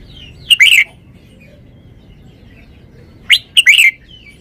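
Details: Caged red-whiskered bulbul showing its song phrasing: two matching bright whistled phrases about three seconds apart, each a sharp upward note followed by a rolling, warbling flourish, with a faint thin note trailing the second.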